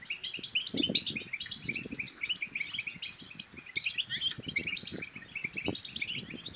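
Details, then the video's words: European goldfinch batbata twitter used to excite males into song and encourage mating. Dense, rapid high chirping and tinkling trills continue throughout over faint low tapping sounds. "بتبتات الحسون بتبتة تنطق اي حسون كان صامت سيغرد"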